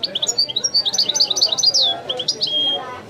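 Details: European goldfinch in authentic Wedani-style song: rapid twittering notes tumbling up and down, then a clear falling whistle and a few scattered chirps over a faint low background hum.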